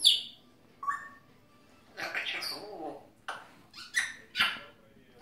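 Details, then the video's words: Pet grey parrot vocalising beside its owner: a high squeak, a short whistled note, then breathy, speech-like bursts and bright chirps separated by brief pauses, with human speech around. "Жако разговаривает"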